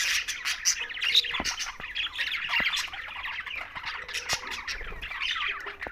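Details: Green budgerigars keep up a lively chatter of quick, scratchy chirps and squawks from several birds, punctuated by occasional sharp taps.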